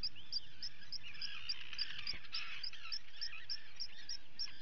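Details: Common guillemot chicks being fed on 28 June 2020, filmed by a live camera at a colony. Rapid, high piping peeps repeat steadily throughout, over a busy layer of harsh, rolling adult calls.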